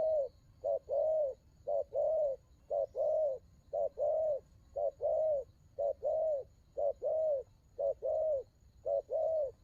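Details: Cooing of a spotted dove in the đồng gù style. About eight low, soft phrases repeat roughly once a second, each a clipped note followed by a fuller, slightly arched coo. A quiet constant hum runs underneath.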